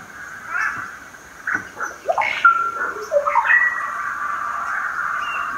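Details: Chestnut-fronted macaw (Ara severus) in Peru: harsh, raspy squawks and screeches rising above a steady background of hissing chatter.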